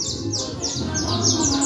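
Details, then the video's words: Saffron finch, called canario criollo, in full song at a cruzeta match in Manhattan from a fibre cage: rapid strings of high, sharply falling chirped notes repeated steadily, with people conversing and a low background hum throughout. "Canario Criollo Él Tremendo en Cruzeta Bien Candela"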